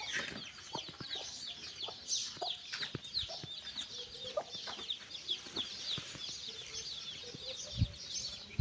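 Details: Constant high-pitched cheeping from a brood of chicks fills the air as the mother hen calls them for a walk with quiet, regularly spaced low clucks, plus occasional thumps.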